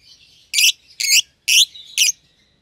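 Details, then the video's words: Pair of young caged lovebirds, albino and euwing green opaline, seen feeding each other; four loud rasping high chirps spaced roughly half a second apart over a faint continuous whistled tone. "Lovebird Chirping Sounds"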